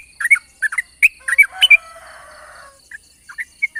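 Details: Yellow-vented bulbul morning 'ropel' chatter used as a lure: short bubbly double notes in quick bursts, interrupted by a brief rushing noise, then scattered single notes resume.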